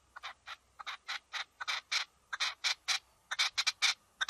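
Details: A red-legged partridge in a field gives harsh, rasping chuffs in quick bursts, several each second, some doubled into a stuttering rhythm; nothing else intrudes.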